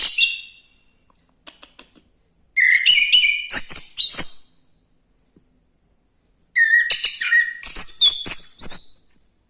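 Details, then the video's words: Orange-headed thrush in energetic song, delivering two long runs of rapid, varied whistles and trills that jump between high and very high notes, with short quiet gaps and faint clicks between. "anis kembang gacor"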